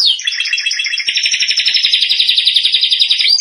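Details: Singing canary for training young birds, one continuous fast rolling trill lasting over three seconds, evenly pulsed and bright, with faint high overtones.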